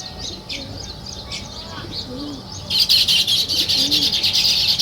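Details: Sparrows chirp on a village morning: softer scattered chirps and faint low coos at first, then a sudden loud burst of fast, crowded chattering.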